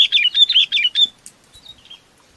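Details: Chinese babax calling to its flock: a fast string of bright, chirpy, slurred notes for about a second, followed by a few soft trailing notes.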